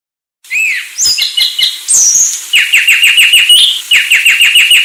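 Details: Sulawesi myna singing: a few varied whistled and slurred notes, then a fast run of sharp, downward-sweeping chips repeated in two bursts, clear and loud without background noise.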